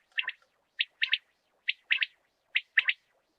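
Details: Rain quail lure call: crisp two-note phrases repeated at a steady pace, each pair clipped and bright, with a clean silent background.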